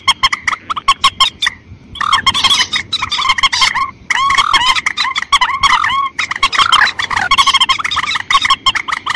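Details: White-breasted waterhen calls, a lure for rice-field hunting: fast honks at first, then a brief gap, then loud wavering croaks and honks layered densely with a constant low hum.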